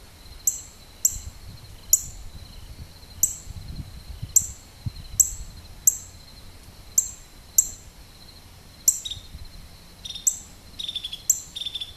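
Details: Maryland northern cardinal, 10/7/12, with a long series of crisp, high chip notes at uneven intervals, a few faint lower calls near the end, and a continuous insect-like whine.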